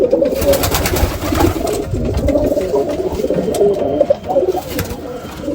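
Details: Domestic pigeons, new breeding pairs kept inside a loft, give soft, low cooing notes in short repeated phrases over steady indoor rustling and background noise.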